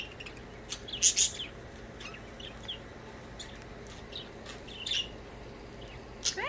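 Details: Chirping budgerigars while playing: an intense high chirp burst early on, then scattered thin tweets and clicks, another louder chirp near five seconds, over a quiet indoor hum.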